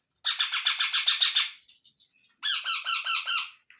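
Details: Baby Indian ringneck parrots being fed give two bursts of rapid, harsh, pulsed squawks. Each burst runs about eight beats before a short pause. The calls are buzzy and high, with nothing else in the background.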